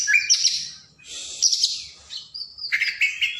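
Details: Oriental magpie-robin, called kacer, pours out an energetic training song to get idle birds singing: harsh buzzy bursts, high whistles and quick chirps, a short gap, then scratchy trilled notes.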